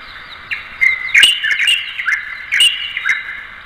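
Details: Light-vented Bulbul chattering busily with quick, squeaky chirps and downslurred notes strung closely together, punctuated by a few sharp clicks.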